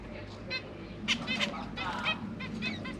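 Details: Zebra finch young, recently fledged and kept with their parents in a cage, give nasal, buzzy begging calls to the parents for food in quick, overlapping bursts, several every second, over a low steady hum.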